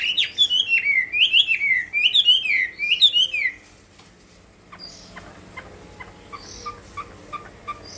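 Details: Hwamei singing a contest song, four rising-and-falling whistled phrases delivered at a steady pace, then the song drops away to faint scattered chirps and quiet background.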